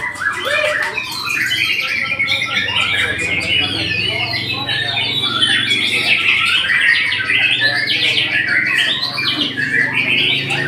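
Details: Extended white-rumped shama song, a continuous high torrent of trills, whistles and rapid chattering phrases that rise and fall, with a faint low hum beneath.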